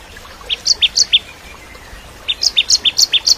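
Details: Bar-winged prinia (ciblek kristal), in lively tutor song for white-rumped shamas: two bursts of rapid, high chirps that alternate between a lower and a higher note, giving a bouncing ticking rhythm, separated by a second of quiet.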